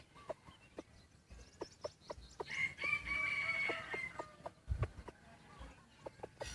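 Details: White-eared decoy rooster crowing: one drawn-out, even crow held for over a second, with sharp clicks and knocks scattered before and after it.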